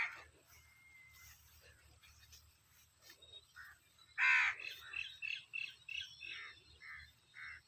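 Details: Birds call in a village in summer. There are scattered thin notes, then one strong, rasping caw midway, followed by a lively series of short chirps. A high, steady insect hum is heard beneath.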